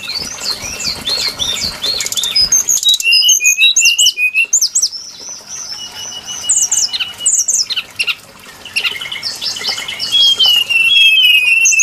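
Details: Brown-chested jungle flycatcher lure sound for trapping: high, sweet whistled phrases with looping up-and-down notes and chirps, a short quieter gap mid-way, then long, slightly falling whistles toward the close.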